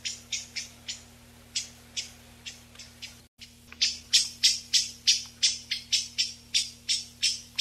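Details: Eyebrowed thrush, a migrant of mountain areas up to 2,500 m, noise-reduced recording for calling flocks: thin, high, sibilant call notes repeated about three times a second in a steady series, with a faint electrical hum beneath.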